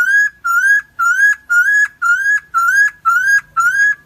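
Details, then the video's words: Cucak timor, the helmeted friarbird endemic to Nusa Tenggara, in a long lure version: a rhythmic run of eight upslurred, harmonic-rich notes at a steady two per second, with a faint low murmur behind. "BURUNG PURBA CUCAK TIMOR , ( Philemon buceroides) atau koak kaok , masteran versi panjang"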